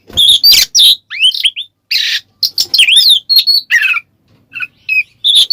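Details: Kacer, the Oriental magpie-robin, in ngeplong song played to stir other birds: loud bright whistled slurs and sharp chattering notes in quick irregular bursts separated by brief pauses, some harsh buzzy fragments.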